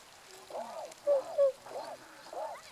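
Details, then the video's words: Tundra swans, adults and a juvenile, recorded 1 January 2014; a run of nasal, arching honks with rich overtones, repeated about every half second, with two brighter level notes in the middle. "コハクチョウ "Cygnus columbianus" の鳴き声"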